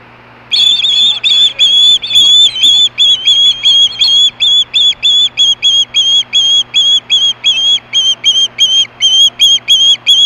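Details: Hellgate osprey in 2014 screaming for fish at 4:19 PM, giving a long insistent run of about twenty-five sharp, high whistled squeals, evenly spaced and growing slightly quicker toward the end.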